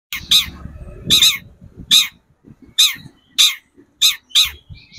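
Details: Long-tailed shrike on a lure recording meant to excite other shrikes into singing. It gives harsh, raspy bursts at irregular intervals of about half a second to a second, some doubled, over low rumbling background noise.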